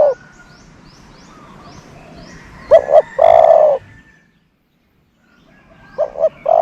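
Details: Decoy dove calling to lure doves: a double note and long hooting coo mid-way, another phrase starting at the end, with faint high chirps of other birds behind.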